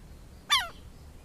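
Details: A single harsh, ringing, downward-slurred note from a southern lapwing (quero-quero) in Brazil, short and abrupt against a quiet low rumble.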